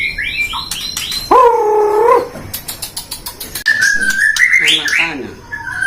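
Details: Captive-bred white-rumped shama at a breeding aviary in Depok, Indonesia: rapid, varied whistles and rising slurs open the phrase, a drawn-out harmonic note follows, then sharp clicks and a wavering whistled passage, with people speaking nearby.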